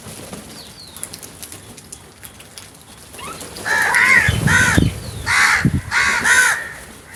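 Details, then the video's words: Several crows attack food together, giving a run of harsh, hoarse caws in quick succession over about three seconds, with thumps and rustling underneath. "Number of Crows Brutal Attack on Food | Crows Sounds"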